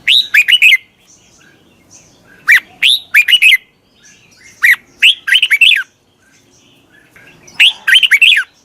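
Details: Red-whiskered bulbul singing to attract wild birds, giving short rollicking phrases of several slurred whistled notes, repeated every two seconds or so with quiet gaps.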